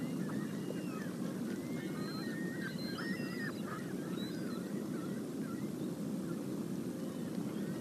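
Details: A few sandhill cranes at sunset on the upper Mississippi River flyway near Onalaska, 20 September 2018, caught by a live camera: a loose run of short, overlapping tonal calls over a steady low rumble of wind and water.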